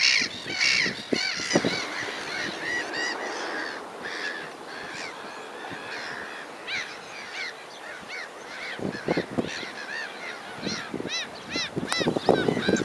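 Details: Sand martins twitter continuously with rapid, rising chirps that swell and fade. Some brief low clicks and knocks are heard near the start and end.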